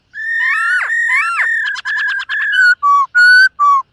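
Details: Black-throated laughingthrush training its voice in the morning, singing while dancing. Long ringing whistles with sharp downward swoops, a buzzy pulsed stretch, then four clear separate whistled notes at alternating pitches.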